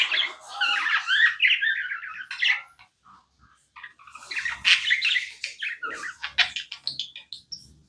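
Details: Pet budgie warbling and chirping, a long scratchy phrase, a short lull, then another run of buzzy chirps and squawks.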